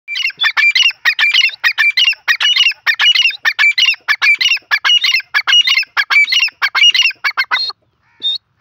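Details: Female grey francolin (dakhni teetar), jungle type, giving loud, harsh, squawking notes in a fast, steady series, about one and a half per second, for nearly eight seconds, with a short final note after a pause; no other sounds.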